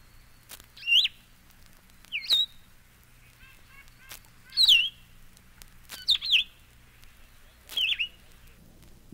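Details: Solitary Vireo song: five brief, sweet, slurred whistled phrases, some rising and some falling, delivered at uneven intervals of one to two seconds over a quiet background with occasional soft clicks.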